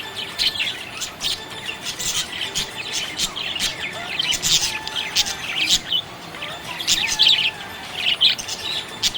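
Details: Budgerigar chirping happily, a continuous twittering of quick squeaky chirps and ticking clicks, rising into louder bursts several times.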